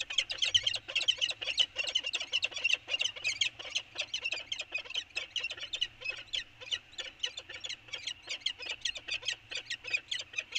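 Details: Peregrine falcons on Anacapa Island exchanging calls early on 24 January 2020; a continuous, fast stream of rasping, clipped notes without pause, loud and harsh throughout.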